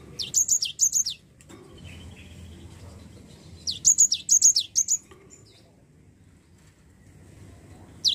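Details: Lure song of a Java sparrow for getting a lazy bird to sing: two bursts of rapid, high, falling chirps, the first of four notes, the second of six, separated by a quiet stretch of low hum.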